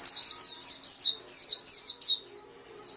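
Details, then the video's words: White-eye singing loud runs of high, downslurred chirps in quick succession, pausing after two seconds before a softer, drawn-out trailing note. "SUARA MAHAL KICAU BURUNG PLECI"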